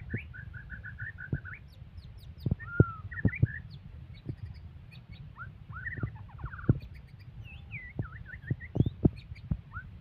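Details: White-rumped shama described as fierce, singing an aggressive song: varied clear whistles, a short repeated note series, rising and falling slurs and sharp chips. Loud clicks and a low rumbling background run underneath.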